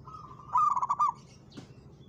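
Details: Single loud burst of about six rapid, rolling coo notes from a local zebra dove challenging a rival, following a fainter steady coo, then ending in a short click.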